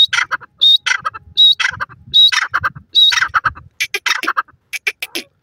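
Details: Teetar, a francolin, calling loudly with rasping, scratchy phrases repeated about once a second. Each phrase opens with a thin high whistle, and the phrases break into rougher crackling notes toward the end.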